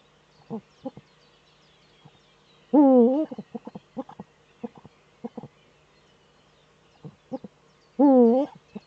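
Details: Webcam at an eagle-owl nest in northern Rhineland-Palatinate, Germany, 4 May 2013, with the male courting in the breeding niche. Scattered short hoots are interrupted twice by loud, quavering, half-second calls about five seconds apart.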